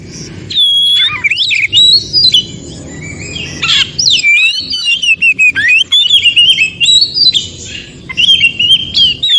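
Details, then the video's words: Oriental magpie-robin, wild forest recording, singing to prompt silent caged magpie-robins to respond: clear whistled phrases that rise and fall, broken by short sharp chips and scratchy notes, in steady bursts with brief pauses. "Terapi Kacer macet bunyi.kacer mana pun langsung Respon Degar suara Kacer yg 1 ini SUARA ASLI HUTAN"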